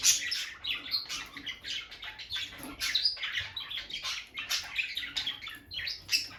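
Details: Peach-faced lovebird couple, a bonded pair kept at home by the nest box, giving a steady stream of shrill, scratchy chirps and short squawks packed closely together with barely a pause.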